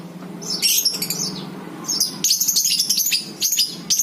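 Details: Lovebird in ngekek chatter, meant to draw others into calling: continuous high, scratchy twittering in quick pulses over a low background hum.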